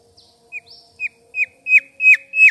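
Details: Mangrove whistler chirping: short clear whistled notes that drop in pitch, repeated about every half second and growing louder toward the end, with a faint steady low hum beneath.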